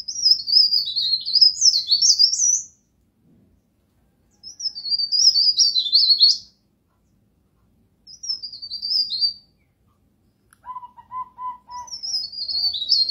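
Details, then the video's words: Burung pare-pare, the pied bush chat, singing in songbird training material: four scratchy, jumpy high warbles of one to three seconds, separated by silent gaps, with a brief lower piping run near the end. "MASTERAN BURUNG PARE PARE"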